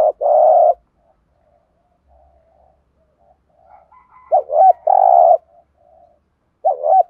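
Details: Spotted dove cooing, used to excite wild or untamed doves. A low hum is followed by near silence with soft murmurs, then a wavering two-part note and a long steady coo, and another bent note starts.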